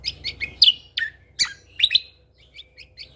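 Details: Tutor recording of an actively singing lesser green leafbird with shot-like fill notes: loud, sharp whistled chirps in fast succession, strongest in the middle, fading into softer, quicker twitters.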